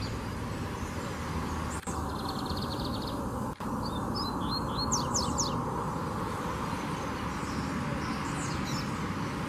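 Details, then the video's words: Lined seedeater singing in the wild: a rapid buzzy trill held high in pitch, then a burst of quick, sharp whistled and slurred notes, all over a steady low rumble of background noise. "Bigodinho Cantando Na Natureza"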